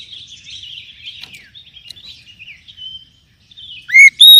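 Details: Oriental magpie-robin (kacer) song offered as a lure recording to spur established and juvenile kacer into singing: high, varied whistled phrases with slurred and trilled notes, a short pause, then loud, sharp rising notes near the end.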